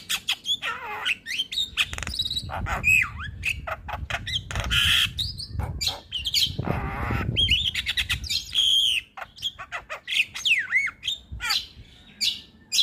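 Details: Javan myna in a jalak tutor recording: a continuous, dense stream of chattering squawks, slurred whistles and rasping notes, with a louder burst of harsh, noisy calls midway.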